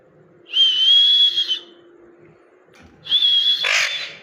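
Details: Parrot giving two long, steady, high whistled notes of about a second each, slightly wavering in pitch, separated by a pause, with a brief harsh noise near the end of the second.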